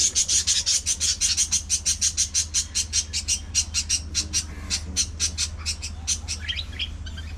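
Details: In a busy budgie colony, a bird delivers a long, quick string of bright, high-pitched chirps, slightly uneven in rhythm, that loosen and break into varied twittering notes near the end, with a low background hum.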